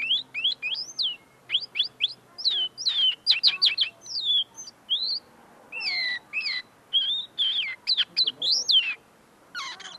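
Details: Common linnet singing tamely at close range while still clarifying its notes: ten seconds of varied twittering, rising and falling whistles and rapid chirps with brief pauses.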